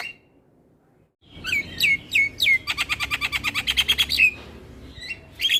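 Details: After a second of quiet, a black-winged myna gives a few slurred descending whistles, then a fast rattle of about a dozen crisp repeated notes, then more short whistles. The recording serves as a tutor to stimulate lazy mynas.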